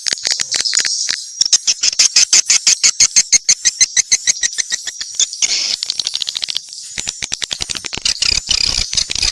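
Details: Swiftlets give a steady train of sharp clicks, about three per second, under a high thin trill, with a buzzy twittering burst in the middle; mixed calls.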